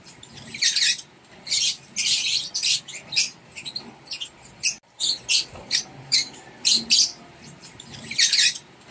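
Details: Rosy-faced lovebird chicks in a nest box being fed by a parent, giving harsh, hissing, raspy bursts, short and irregular, rising and falling in quick succession.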